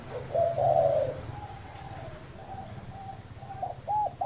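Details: Spotted dove cooing: one long, hollow, slurred coo early on, then a run of shorter, softer coo notes and two clear paired hoots near the end, over a low rumbling background.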